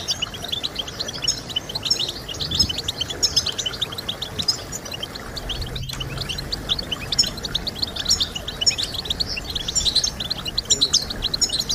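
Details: European goldfinch singing to motivate other goldfinches: sustained high, jangling twitters and trills, a momentary break near the middle, then more rapid chirping phrases over steady low noise.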